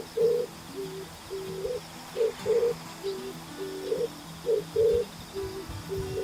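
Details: Pigeon cooing in a series of short, low, hollow notes, some single and some paired, repeated every half second or so, over soft steady background music.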